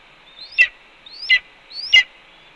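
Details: Nesting red-tailed hawk at Cornell, 4 May 2013, afternoon, vocalizing beside its mate eating a pigeon; three evenly spaced calls, a climbing thin whistle abruptly ending in a strong shrill downward note.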